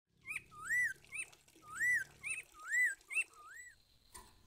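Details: Grey-headed babbler in full song: clear whistled notes arching up then down, alternating with short lower upslurred whistles, roughly one phrase per second over four seconds against a quiet background.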